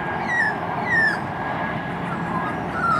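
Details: Juvenile female magpie, happy, giving clear whistled notes that slide downward, three of them spaced about half a second to two seconds apart, over a steady background hiss.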